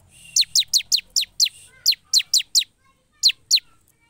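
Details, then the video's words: Bar-winged prinia singing vigorously: six rapid, evenly spaced down-slurred whistles, then four more after a brief break, ending with two isolated notes; clean, high and ringing. "Suara Ciblek gacor"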